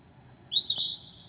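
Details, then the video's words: Mimicking Northern mockingbird at 2 a.m. on a July night: a single loud rising then level burry whistle lasting about half a second. "HIGH QUALITY AUDIO of a Mocking bird at 2:00 A.M."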